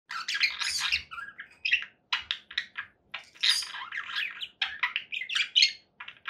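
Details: Conure parakeet giving harsh squawks and chirps in dense bursts, the chatter pausing briefly between runs, with a faint low hum underneath.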